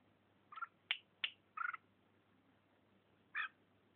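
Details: Feisty Red-whiskered bulbul in Vietnam attacking and biting its owner's thumb, giving five quick rasping notes in four seconds, a couple of sharp downward-slurred squeaks among grating churrs, over a quiet low hum.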